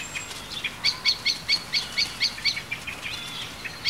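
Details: Common blackbird (Turdus merula) gives sharp, metallic chinking alarm notes, a quick run of about eight then scattered more, warning of stoats in mid-July around the gardens and ruins of Mount Grace Priory, over faint hiss.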